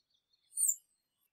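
A single thin, very high rufous-bellied thrush call, a quick buzzy note lasting about a third of a second, set against near silence.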